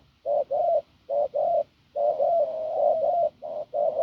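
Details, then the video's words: Hoarse field spotted dove cooing low: paired short notes at first, then a long unbroken coo of over a second, ending with more brief doubled coos. "Bổi đồng khàn cứng gù"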